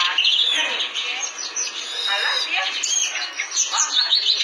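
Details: Clamorous reed warbler, known as kerak basi, singing gacor: dense, scratchy chattering with quick rising and falling whistled notes, steady and unbroken, a faint voice possibly underneath.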